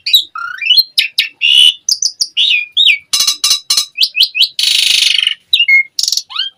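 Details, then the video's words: Asian pied starling in lively full song packed with varied notes: rapid mix of clear whistles, rising and falling slurs, sharp clicks and harsh buzzy, rasping bursts, delivered almost without pause. "Suara Jalak Suren Gacor Full Isian ANTI MACET"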